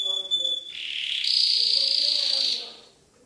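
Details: Canary from an Indonesian birdsong compilation with trickling water added: a thin piercing whistle jumps into a loud sustained buzzing roll held about a second and a half, then fades away.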